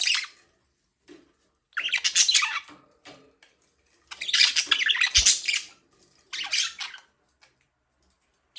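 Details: Budgerigar chattering indoors in bursts of scratchy, squawky high chirps, each burst lasting about a second, separated by short pauses.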